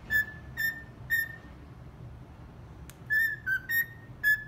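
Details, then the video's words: Captive cockatiel singing 'Atirei o pau no gato' a little out of tune: three short level whistles, a silent gap, then a quicker run of five whistled notes stepping slightly down and up, with a soft background hum. "Calopsita cantando 'Atirei o pau no gato'"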